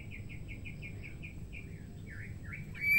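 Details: Female white-rumped shama singing to stimulate males: a quick series of about ten short, even chevron notes, followed by a few lower swooping notes and a louder rising whistle at the end.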